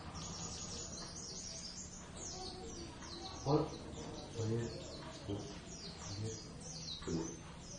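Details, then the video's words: Javan Oriental white-eye pair (Zosterops palpebrosus javanus) singing a first practice duet in ngeriwik style: a steady stream of high, quick twittering notes with soft thumps and a man talking quietly beneath. "pleci nakula sadewa ....gacor ngeriwik"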